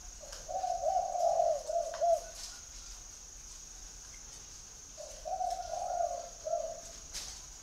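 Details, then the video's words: Spotted dove cooing in two matching phrases about four seconds apart, each a few mellow, low notes run together then a shorter final coo, against a quiet background. "chim cu gáy gọi"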